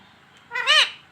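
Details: Pet talking parrot calling for mummy. A single short, harsh, harmonic syllable swells, then fades within about half a second in a quiet room.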